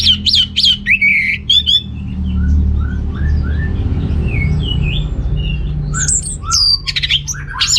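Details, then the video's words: Orange-headed thrush recorded in North Bali, Singaraja, song used to rouse males short of breeding drive; bursts of rich varied whistled phrases open and close the clip, with softer scattered slurred notes and a steady low hum between. "ANIS MERAH Gacor Untuk Pancingan AM Jantan yang Kurang Birahi"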